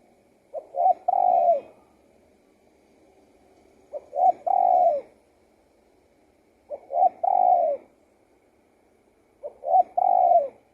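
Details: Spotted dove singing: four phrases, each two short soft coos then a long drawn, slightly falling coo, repeated roughly every three seconds in quiet surroundings.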